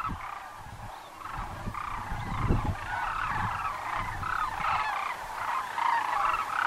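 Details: Sandhill cranes at Muleshoe Wildlife Refuge, Texas, give rolling, trumpeting rattles that overlap in a steady chorus, several calls every few seconds, over low rumbling wind or handling thumps.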